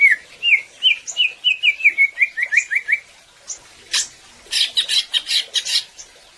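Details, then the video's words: Greater green leafbird singing gacor, intended to train other birds: a steady series of about a dozen short, bouncing whistled notes, then a few louder scratchy, broadband chattering bursts. "Suara Cucak Ijo Gacor Agar Burung Ngobra dengan Penuh Kekuatan"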